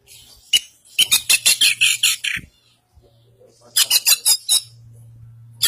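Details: East Javan Kacer Poci, a white-breasted Oriental magpie-robin, delivering harsh, scratchy high notes in rapid bursts of five to eight, separated by a short pause, with a faint low hum beneath.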